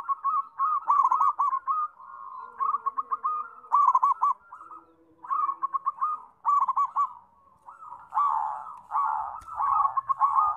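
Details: Zebra dove singing energetically: a steady series of soft, rolling coos broken by quick stuttered trills, repeated in bursts about every second or two, with faint lower cooing from other doves in the background.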